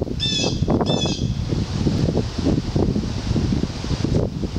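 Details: Red-tailed hawk fledgling at Mount Auburn Cemetery on 2 July 2014, giving two drawn-out, wheezy, harmonic-rich calls in quick succession early on, over steady low rumbling wind or handling noise.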